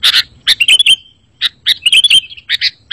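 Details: Sooty-headed bulbul song meant to draw birds and set caged ones singing: short groups of bright chirps and quick slurred notes.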